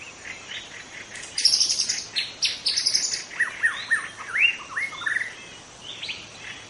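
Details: Young wild white-rumped shama from the forest giving a rich song: high thin buzzy notes first, then a series of clear downslurred whistles and rising looped phrases, tapering off softly.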